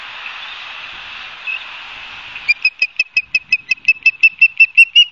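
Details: Osprey at a camera-watched nest in Barnegat Light, New Jersey, 12 September 2022, afternoon. About two and a half seconds of hiss, then a regular run of around fourteen shrill whistled chirps.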